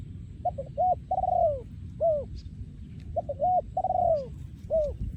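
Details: Breeding male spotted dove singing in the Thai 'yon ku ang' style: two full cooing phrases, each of short clipped coos, a long drawn-out coo sliding down in pitch, then a brief final coo, over low rumbling background noise.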